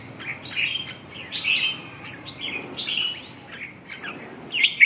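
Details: Red-whiskered bulbul delivering a steady string of varied whistled and slurred notes, roughly one phrase every half second, over a low background hiss.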